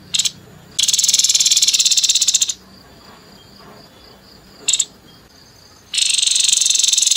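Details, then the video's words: Grey-headed babbler in harsh 'nembak kasar' singing style, used for tutoring contest songbirds: a short burst, then a long grating rattle of fast pulses, a pause, another brief burst, and a further long rattle. "TEPUS KEPALA ABU ABU NEMBAK KASAR"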